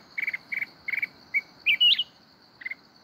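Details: A mountain red-whiskered bulbul sings kít bổi forest-style song: trilled chip groups, a short pure note, then a loud whistle that leaps upward and falls, ending with another chip trill; high steady drone behind.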